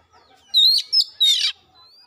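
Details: An oriental magpie-robin (kacer) in a lure song intended to spark full repertoire singing. Three short bright phrases sound in quick succession: a sweeping whistle, a clipped note and a harsh buzzy burst. A thin fading whistle follows.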